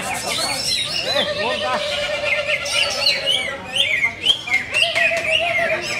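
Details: Prize-winning greater green leafbird on sale sings a varied medley of slurred whistles and fast chirps, with long steady tones running underneath and sharper notes near the end.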